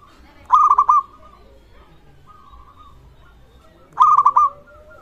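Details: Local zebra dove sounding off, said to rouse rival zebra doves to call: two clear clusters of quick, bubbling coo notes three and a half seconds apart, with faint sustained tones in between.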